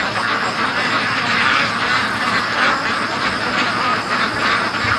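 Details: Free-range domestic ducks returning home in a big flock after a day at the lake, their nasal quacks merging into a dense, even roar with rhythmic swells of louder calling.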